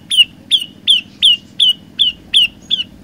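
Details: Olive-backed tailorbird, song in three variations: eight emphatic, ringing notes sliding downward, roughly two to three each second, steady and loud against faint low rumble.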